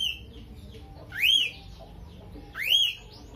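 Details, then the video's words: Pair of loud, arched whistled chirps, each climbing then dipping, from a chattering lovebird fighter bird with a starling-mimic repertoire, about one and a half seconds apart. "BURUNGnya LOVEBIRD,suara unik"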